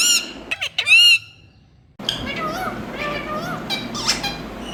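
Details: Parrot from India giving loud harsh harmonic squawks with bending pitch, a pause, then softer rapid chatter with short rising and falling notes over a noisy background.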